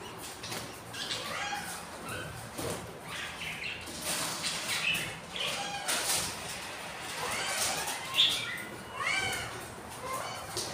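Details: Budgerigars breeding with three hatched chicks, four days old and hungry: scattered chirps and short squeaky notes, some rising in pitch, over steady hiss, with a few louder bursts.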